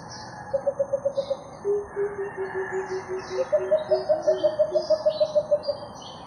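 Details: Two Philippine coucals meeting up, January 21, give quick runs of deep, hollow hoots, about three a second, with a lower-pitched series between two higher ones; faint high chirps sound in the background.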